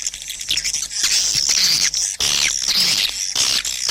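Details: Swiftlet calls used to lure birds into nesting houses: high, thin twittering with drawn-out squeaky notes that waver up and down, broken by short gaps near two seconds.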